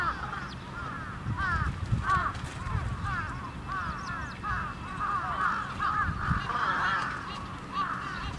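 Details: A crowd of trapped crows gives harsh, overlapping caws in quick succession, over a low rumble of background noise.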